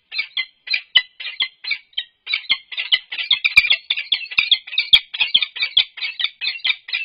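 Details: Peregrine falcon pair, a female and an unbanded male, courting inside a nest box at UC Berkeley, California, 1 April 2022; harsh, rapid chattering notes repeated over two per second, fast bursts of grating syllables overlapping.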